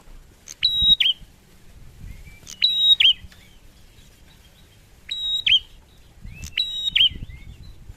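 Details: Male bar-winged prinia, locally called prenjak, singing actively: four bright high phrases about two seconds apart, each a sharp chip, a sustained whistle, then a twisting trill at the end, over quiet low background.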